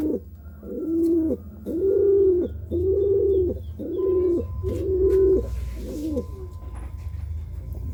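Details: Pigeon cooing while courting: five clear, even coos in a row, each a low rounded note held about half a second, spaced roughly every 0.7 seconds, followed by a fainter sixth; a steady low hum underneath.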